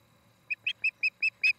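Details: Osprey at a nest camera in Charlo, Montana, on an August 2018 evening, where a pair nests: six short, clear whistled chirps, evenly spaced and slightly rising in loudness, over a quiet low hum.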